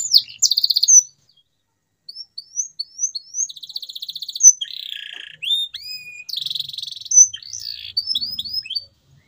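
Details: Song of a canary for prompting silent birds to sing: rising whistles in a row, a quick trill, a lower buzzy rattle and a long flat whistle, then more trills and upslurs.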